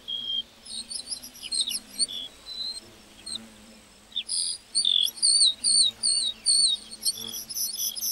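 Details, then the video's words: Lark singing in a meadow, first a softer high twittering, then a loud, regular series of sharp whistled chirps repeated more than twice per second. "Singing lark in the meadow"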